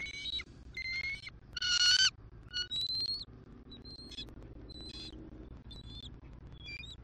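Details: Bald eagle mates greeting each other at dawn on a Southwest Florida nest before the male takes over incubating the eggs, December 2023; a loud harsh squealing cry followed by a run of high thin whistled chirps, fading gradually.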